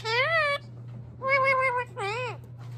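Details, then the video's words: Indian ringneck parakeet, a talking pet parrot, utters three drawn-out tonal, slightly wavering notes, each about half a second long and separated by short pauses, over a steady low background hum in a room. "Talking Indian Ringneck parrot"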